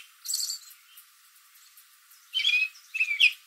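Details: American robin perched in a backyard tree in the late afternoon, calling to other robins nearby: one brief high chirp, then two louder sharp chirps about a second apart after a pause.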